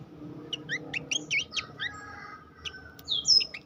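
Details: Horsfield's babbler competition training song, a few short rising whistled notes in quick succession, a quiet gap, then higher drawn-out slurred whistles near the end.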